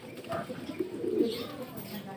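A racing pigeon gives a soft, low, rolling coo lasting under a second, with faint room noise and a murmur that may be a voice.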